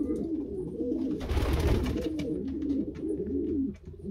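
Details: A pair of Norwich cropper (pouter) pigeons in moulting season, in Pakistan, give low, rolling coos, overlapping and continuous, with a brief rustle of wingbeats midway and faint room noise.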